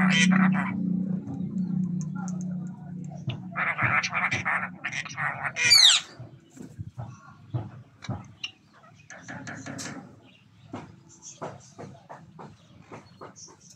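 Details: Mating-time red-breasted parakeets giving bursts of rasping screeches and a few arched, ringing notes in the first six seconds, then softer clicks and brief chattering notes over a low hum.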